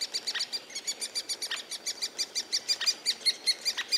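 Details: Three-toed woodpecker near its nest hollow in Białowieża forest, with rapid, evenly repeated high squeaky notes about five per second, continuous throughout, over faint forest background.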